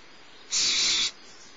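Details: Young barn owl, the smallest owlet in the nest at Starr Ranch, being fed by its mother around 10:30 in the morning; one broad, rasping hiss lasting about half a second with a flat, even loudness, then quiet.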